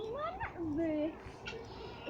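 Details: A turkey hen in a pen at Margam Park gives a few drawn-out, wavering tonal notes, rising and then sliding down, over about two seconds.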